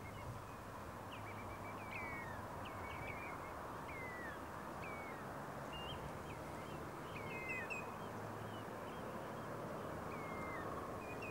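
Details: A common greenshank (Tringa nebularia) calls with clear, ringing whistled notes, short and slightly downslurred, scattered irregularly over a steady roar of wind or distant traffic.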